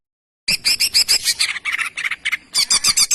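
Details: Greater green leafbird, or cucak ijo, in a tutor recording meant to train birds into the jantrok singing style: a short, busy run of sharp chirps and chattering notes, high and densely spaced, with a brief pause near the end.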